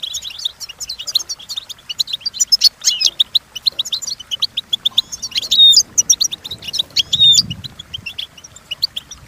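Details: Training song of a European goldfinch: dense, rapid tinkling twitters with a few clear whistled slurs, running almost without pause over nine seconds.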